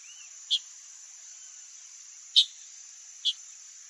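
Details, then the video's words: Chalk-browed mockingbird calling in the wild in Brazil, giving three brief harsh chacking notes spaced unevenly across a few seconds, backed by a continuous shrill insect hum. "CHALK-BROWED MOCKINGBIRD calling"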